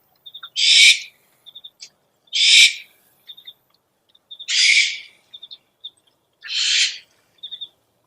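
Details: Owl lure recording: four harsh, hissing screeches about half a second long, evenly spaced roughly every two seconds, with soft clusters of three short high chirping notes between them.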